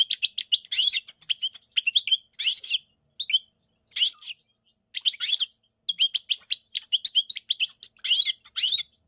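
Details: European goldfinch singing: bursts of bright, high twittering and tinkling notes in quick clusters, separated by short pauses, with a buzzy edge to some phrases; clean background.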